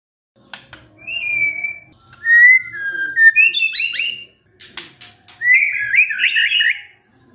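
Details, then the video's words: White-rumped shama, a murai stirred by a lure recording, delivers drawn-out pure whistles at varying pitch, then clipped sharp notes and a quavering warbled phrase, with faint clicks behind. "SEKETIKA MURAI STRES SONTAK BERBUNYI DENGAR PANCINGAN INI"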